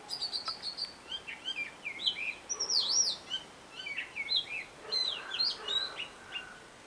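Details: Robin singing a different tune as a mimic: continuous warbled whistles with twisting slurs, a strong rising-falling note near three seconds, dense short phrases packed closely throughout.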